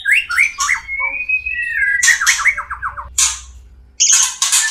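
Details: Breeding-condition song of the white-rumped shama (murai batu): a long sliding whistle leading into fast descending trilled notes, then loud harsh buzzy bursts; low hum throughout.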